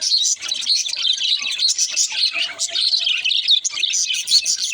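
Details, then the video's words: Baby budgerigar singing: a continuous, rapid, chattering warble of buzzy, scratchy high notes mixed with short squeaky chirps, running almost unbroken throughout with small dips in loudness; no other sounds stand out. "Adorable baby l singing sound"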